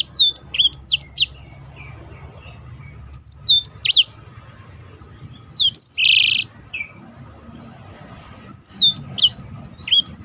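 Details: Black-throated canary tutor song for contest birds: short bursts of twisting high whistles and a brief buzzy roll separated by long pauses, with a soft series of thin repeated ticks running through the quieter stretches.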